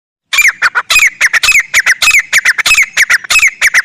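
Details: Grey francolin calling in the wild jungle, loud and real: a rapid, harsh series of shrill, clipped notes with a sharp downslurred accent, tumbling on almost without pause for nearly four seconds.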